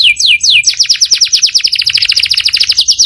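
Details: Canary singing with a powerful voice: a few high, down-slurred whistled notes, then a long, fast trill of short descending syllables.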